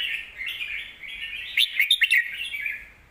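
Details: Song of a caged red-whiskered bulbul used for teaching young birds: continuous warbling with a brief run of loud, sharp clipped notes near the end.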